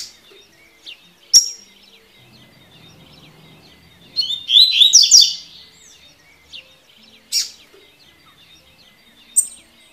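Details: Tui tui style song of a double-collared seedeater: scattered piercing chips lead into a dense, fast run of ringing, buzzy notes lasting around a second, then further single high chips, with faint twittering behind.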